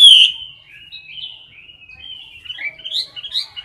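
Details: Chinese hwamei in a cage, singing competitively: one loud, sharp whistled note at the start, then softer, varied warbling with slurred whistles and brief twittery flourishes toward the end.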